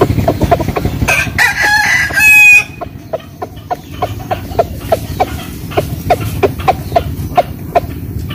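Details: Village rooster in western Vietnam crows loudly in the morning, a short harsh crow, followed by rapid, evenly spaced clucks about three per second, faint engine hum underneath.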